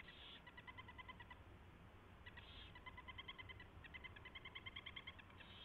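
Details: Owl feeding at the nest after a mouse delivery, 24 February 2016, 4:21 AM; fast stuttering series of nasal, harmonic chittering notes broken by short hissy rasps, continuing throughout over a constant low hum.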